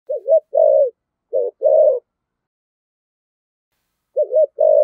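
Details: Spotted dove giving decoy coos in the 'thổ sấm' voice style: two pairs of low, hollow coos, each a short wavering note then a longer steady one, separated by a long silent gap before a final pair.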